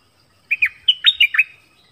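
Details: Decoy dok taeng bird calling for a partner in the forest, recorded 13 January 2021. Two quick liquid notes, a pause, then a cluster of four rich, rolling whistles falling in pitch, set against a quiet background.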